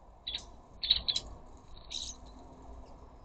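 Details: Rose-ringed parakeets at a garden bird feeder chattering to each other: a quick series of short, harsh, clipped notes in two bursts, then a rougher scratchy note.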